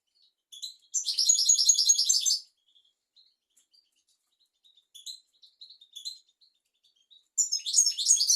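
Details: European goldfinch song for teaching young goldfinches and canaries: a dense, buzzy, high twitter of about one and a half seconds, then soft scattered chirps, then another rapid twittering burst starting.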